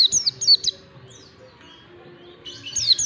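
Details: Oriental white-eye in 'ngalas' song style, a lure for teaching young white-eyes: a rapid run of shrill, falling whistled notes, a brief quieter pause with faint chirps, then another busy burst of high sweeping notes over soft hum.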